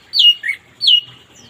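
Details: Orange-headed thrush in the morning, used as therapy for birds that won't sing: two clear descending whistles, the first followed by a short lower slurred note, about half a second apart.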